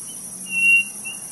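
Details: Single clear whistled note from a codorniz, a quail of Brazil's Nordeste, flanked by faint softer notes, set against a continuous high cricket drone.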